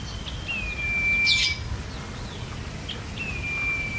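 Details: Common iora, a master recording used to train songbirds, giving long, level, pure whistles that hold steady, each about a second or more, with short chirps between them and faint background hiss.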